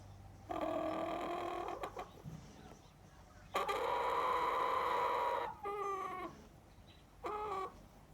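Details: Lonely chicken kept outside the house, crying repeatedly: a drawn-out nasal call, then a louder two-second wail, followed by shorter falling calls, with brief pauses between.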